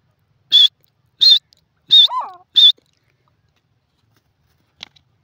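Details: Grey francolin, known locally as teetar, giving four loud, shrill, high notes about every 0.7 seconds, with a lower wavering note tucked between the last two, then silence and one brief faint note.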